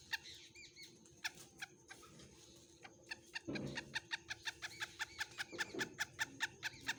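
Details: A black francolin gives short, harsh clicking notes that settle into a steady run of about two per second, with thin higher calls early on and a brief low rumble.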